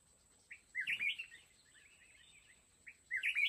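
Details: Red-whiskered bulbul from the mountains, near a fighting trap, singing two bright bubbling phrases about two seconds apart with soft connecting notes, a faint steady high tone behind.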